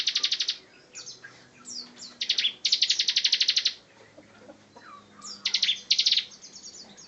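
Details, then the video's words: Bar-winged prinia master bird in active ngebren song, pouring out repeated rapid trills of high pulses separated by brief downslurred chirps, almost without pause. "Ciblek Gacor Ngebren"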